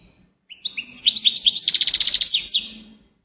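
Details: High goldfinch warble opening with thin notes, building into a dense, fast trill of bright chirps that ends with sharp downslurred notes.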